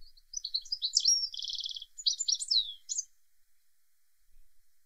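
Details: European goldfinch (Carduelis carduelis) singing on a windy day in the UK, a quick, tinkling jumble of high twitters with a brief buzzy trill near the middle, lasting about three seconds.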